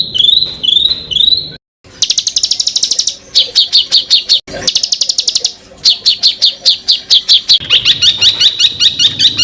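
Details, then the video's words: Varied songbird material from a masteran recording for tutoring shama, leafbird and magpie-robin. It begins with rising whistled phrases, then moves into fast high trills and bursts of sharp, repeated chips, with abrupt edits. "BURUNG FULL ISIAN TEMBAKAN Untuk Masteran Murai batu ,Cucak ijo ,Kacer"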